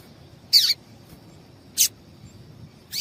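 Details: Female double-collared seedeater call, used to stimulate a male to sing. Short, very high, downslurred chips sound roughly every 1.2 seconds over a low steady hum.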